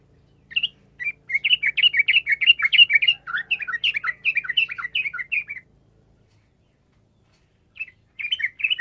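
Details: Sooty-headed bulbul singing chatty gacor song as a lure for silent bulbuls: about five seconds of rapid, rollicking warbled notes, then a pause of two seconds before the song resumes briefly.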